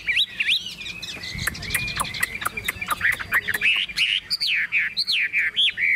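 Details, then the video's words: Caged tame Chinese hwamei carried by hand with the cage rocked: dry rattling clicks run beneath rising and falling whistled phrases, ending in loud, looping slurred notes. "Họa mi thuần điện căng đét - Xách tay lắc lồng hót đỉnh"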